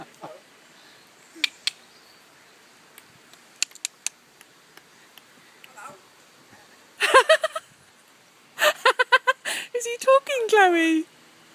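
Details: A zoo myna at Newquay Zoo imitates human speech ("hello", "bye", "I like your phone") in a Cornish-like accent, in quick, voice-like bursts, some with falling, whining tones; faint clicks and taps first, and people talk nearby.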